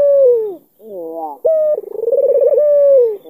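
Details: Albino Barbary dove with a black neck ring from Kalimantan, cooing to bait a rival into answering: a rolling, tremulous coo with a steady tone, then a longer quavering phrase that slides downward at the end.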